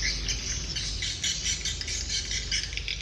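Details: Birds in the evening making a thick, restless chatter of high, sharp chirps and twitters from many individuals at once, pulsing in short bursts, with a faint low hum underneath.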